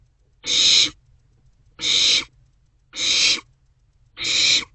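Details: Barn owlets in a nest box share a vole in the small hours of 27 March 2024. Four even, rasping hiss-screeches, each about half a second long, come at a steady pace of roughly one every 1.2 seconds.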